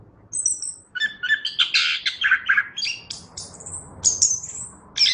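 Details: Vigorous song of a Chestnut-backed thrush: a dense run of chattering, buzzy notes and high piercing whistles delivered almost without pause, over a steady low background hiss.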